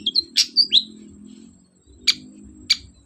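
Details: Long-tailed shrike, a lively singer, used as a lure to get a reluctant bird to answer and sing: a quick cluster of high chirps and short whistled slurs, a pause, then two isolated sharp chips.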